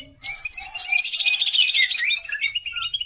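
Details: Continuous varied song of a Greater green leafbird used as pancingan, a lure to stimulate other birds: a long buzzy rattling phrase with descending whistled slides, ending in high clear downward whistles.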